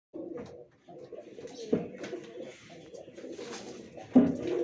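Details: Pigeon cooing indoors: low, throaty rolling coos repeated almost continuously, with a louder burst near the end.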